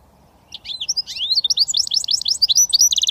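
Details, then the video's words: Switty song from a goldfinch mule hybrid: after a brief pause, a rush of bright twittering slurred notes climbs and dips, ending on the start of a rapid rattling trill. "Goldfinch mule switty 100% British finch"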